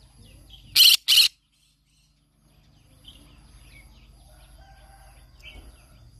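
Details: Every morning this green-cheeked conure sings; here two loud, grating screeches come in quick succession, followed by quiet, scattered little chirps and a soft background hum.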